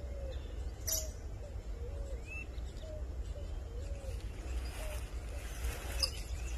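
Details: An owl at its nest hole in a cemetery gives soft, short, mid-pitched hooting notes. They repeat roughly every half second, some slightly rising or bent, over a low rumbling background with a few faint higher chirps.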